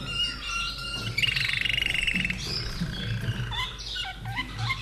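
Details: Song of a captive common nightingale in Austria, born 2011: a steady whistled tone, then a rapid rattling trill of about a second, followed by short upslurred notes, over a persistent low rumble.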